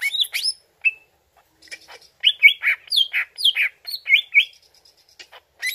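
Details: Greater green leafbird song used as a lure for a reply: bright rising and falling whistles, then a lively sequence of slurred notes and chirps in quick succession.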